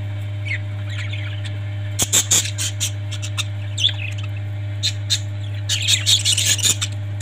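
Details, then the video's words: Parrots give loud, harsh broadband squawks in clustered bursts with softer chirps between them, set against a steady low background hum. "Parrots 🐦 Sound"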